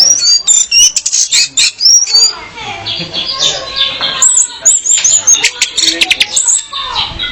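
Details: Female orange-headed thrush singing, used as a lure to get males singing actively and as training for them: a rapid run of high, sharp, varied chirps and slurred whistles with brief pauses and a faint lower hum beneath.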